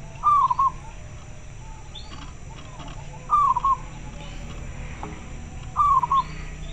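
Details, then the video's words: A local zebra dove calling in reply to another bird, heard as three short, soft rolling coos spaced roughly every three seconds, fairly distant over steady low hiss. "Suara perkutut lokal sangat jernih - denger suara nya pada respon nyaut"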